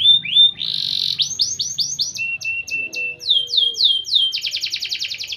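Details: Training song of a canary: whistled slurs, a dense buzzy roll, descending clipped notes over a held tone, then rising swoops ending in a fast bright trill.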